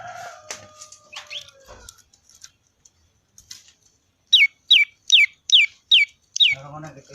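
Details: Prinia, locally called prenjak lumut, giving its typical 'ceng-ceng' song: six sharp, high, downslurred chips repeated about every half second, after a softer jumble of chirps and faint twitters. A low hum comes at the end.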